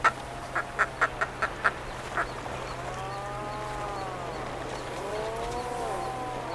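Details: Puffin in Iceland gives a run of seven short, clipped notes, then drawn-out, rising-and-falling groaning moans over a steady low rumble of wind.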